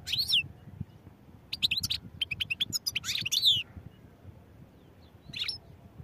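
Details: European goldfinch giving scattered bright chirps and sliding notes, a quick run of twittering around three seconds in, then a final short phrase after a pause.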